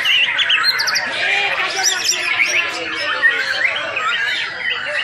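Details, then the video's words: Champion competition white-rumped shama from Singkawang in full song: dense, rapid run of bright whistles, chirps and sharp squeaky notes, tightly overlapping with few pauses, with possible voices murmuring underneath. "SUARA BURUNG | Aksi Murai Batu Juara"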